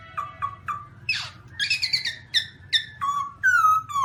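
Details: Black-throated laughingthrush: short repeated whistled notes, a harsh sweeping note, chattering clusters and a long, level, clear whistle to finish, over a low hum.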